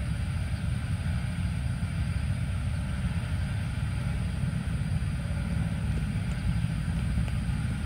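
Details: Constant low engine-like rumble with a faint steady hum above it, and no animal calls heard.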